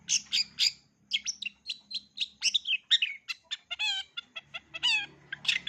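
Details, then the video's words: Long-tailed shrike in full repertoire song, suited to teaching young birds. Harsh chattering notes open the phrase, followed by a series of clear, ringing harmonic calls that bend downward, with a faint low hum behind. "Cendet isian lengkap, COCOK untuk CENDET MUDA belajar BUNYI, JITU dan GACOR"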